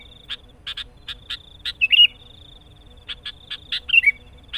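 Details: A sooty-headed bulbul in vigorous song pressing a rival gives short bubbly chirps about every half second, breaking into brief warbled phrases, over a thin steady high whine.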